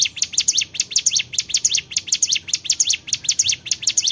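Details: Short burst of Bar-winged prinia song: loud, high, sharp paired notes repeated roughly five times a second in a clean, even rhythm.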